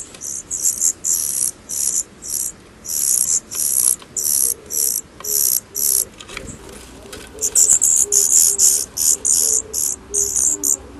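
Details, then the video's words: Daurian redstart fledglings leaving the nest for the first time: rapid series of very high, thin, hissing notes, about four per second, in dense runs with short gaps; a faint low tonal hum underneath. "Baby birds (Daurian Redstart) leaving the nest for the first time."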